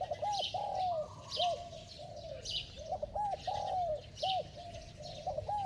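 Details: Spotted dove giving a bell-toned coo with fast cooing, meant to stimulate wild-caught doves that are slow to respond: short arched notes followed by a long, drawn-out falling coo, repeated twice, over a steady high insect-like hiss.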